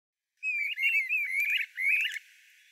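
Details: Streamer-tailed tyrant, a migratory Brazilian flycatcher of wetlands, giving four harsh, scratchy squeaky phrases in quick succession, each a rough wavering note with short gaps, clean background.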